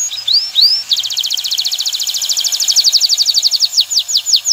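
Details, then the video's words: Male canary singing to excite a female toward mating and nest building: a few rising whistles lead into a long rapid trill that slows near the end into separate downslurred notes. "اقوى تغريد ذكر الكناري لتجهيز انثى الكناري للتزاوج و تحفّزها على بناء العش"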